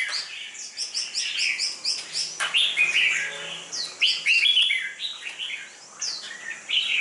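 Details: Red-whiskered bulbul being prepared for contests, mid-sized with sparse feathering and a dark bib, delivers a run of rapid chirped notes followed by fuller warbled phrases, several overlapping.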